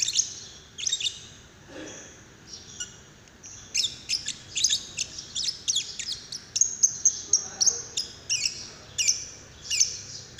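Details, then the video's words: Lovebird calls used as a prompt to set another lovebird singing, labelled paud; shrill, high chirps and sharp squeaks in irregular bursts, thickening into rapid chatter in the second half. "Pancingan love bird paud"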